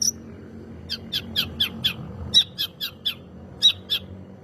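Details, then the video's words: Cendet, long-tailed shrike, lure song for provoking other birds to sing: a loose series of sharp, mid-high chirps with bright overtones, roughly three per second, interrupted by a short pause. "Burung Cendet Gacor "Pancingan Cendet Super Ampuh""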